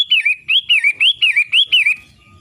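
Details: Daily singing of a long-tailed shrike, six loud looping whistled phrases, each rising then dipping, given about twice a second before the bird falls silent, leaving only faint low background noise.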